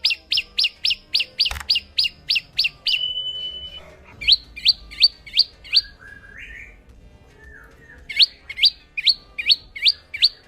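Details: Olive-backed sunbird from Indonesia singing long runs of sharp, downslurred chirps at a quick steady pace, broken by a thin sustained whistle and a few lower slurred notes before the chirping series resumes.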